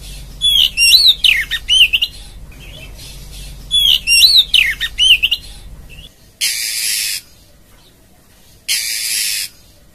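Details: A female oriental magpie-robin calls for a male, giving two bursts of bright, varied whistled notes, then two harsh, hissing rasps about two seconds apart, over a faint low hum.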